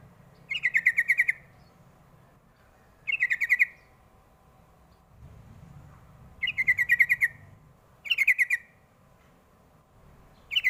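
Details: Sooty-headed bulbul calling as a lure for young birds to answer: rapid chattering bursts of about seven bright, slightly falling notes, repeated every two to three seconds with quiet gaps between.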